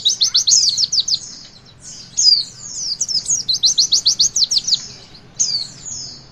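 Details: Rapid series of high-pitched chirps, roughly three per second in long runs, make up this Javan white-eye 'witwit' song aimed at stimulating young birds to sing.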